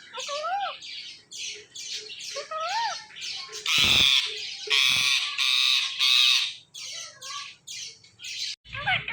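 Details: Two pet parrots, a male teasing a female: a dense, busy stream of harsh squawks and chattering notes, with a few clear whistled slurs and a loud grating burst in the middle.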